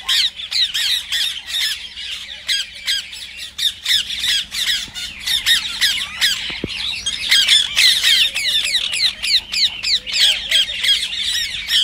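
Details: Rose-ringed parakeets used to stimulate other parrots to sing: a dense, continuous mass of harsh, high screeches overlapping rapidly, several birds calling at once.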